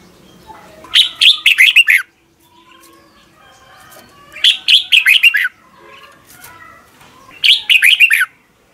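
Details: Red-whiskered bulbul, trained morning song of the 'ché kích bổi' kind: three separate quick phrases of slurred descending whistles, roughly every three seconds, with soft background noise between them.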